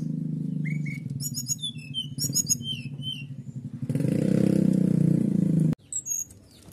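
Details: Canary singing "nembak" to provoke other birds: paired mid whistles, then stacked high trill phrases and sliding notes, before a loud engine-like rumble takes over and a few final chirps.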